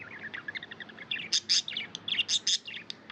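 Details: Budgie chirping up close: soft warbled notes, then loud, clear high chirps in quick bursts, roughly one a second, with shorter twitters between.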